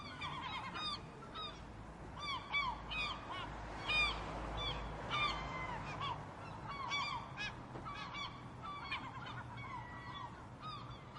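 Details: Noisy gulls calling loudly, said to make as much noise as possible to frighten off predators; many overlapping harsh, wailing cries with short sharp yelps, a busy chorus with low background rumble.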